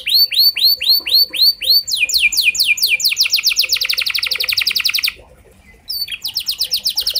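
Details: Canary song meant to trigger other canaries into long singing: slow looping whistles speed into a rapid buzzy trill, a short pause, then renewed fast high notes.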